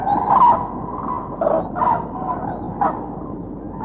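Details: Common cranes flying overhead in V formation, passage migrants arriving from the south in spring in Bulgaria. Loud, rolling trumpeted calls overlap irregularly about once a second over a steady hiss.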